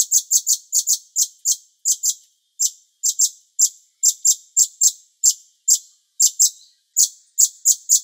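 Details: Bulbul (cucak cungkok) on a master recording for training songbirds: steady series of piercing high chip notes, often in pairs or triplets, roughly two to three per second throughout.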